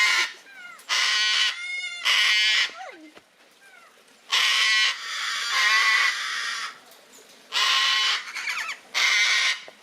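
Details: Captive gang-gang cockatoo at Palmitos Park, Gran Canaria, gives harsh, grating, creaky screeches about half a second long, in uneven bursts every one to two seconds with quieter squeaks between.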